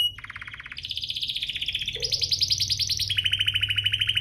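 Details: Canary song played to get other canaries singing: continuous fast rolling trills that jump between pitch levels, over a faint low hum.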